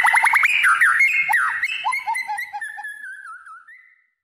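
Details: Tame white-rumped shama singing vigorously while held in the hand. A rapid burst of clear whistled notes is followed by sliding, wavering whistles that gradually fade away over about four seconds. No other sounds are heard.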